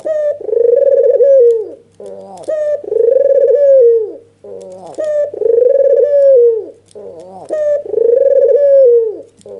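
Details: Agitated albino Barbary dove, white with red eyes, nodding and cooing to stir a rival or lazy dove into calling. Four regular phrases, each a short stuttering lead-in followed by a long, throbbing mid-pitched coo that falls at the end.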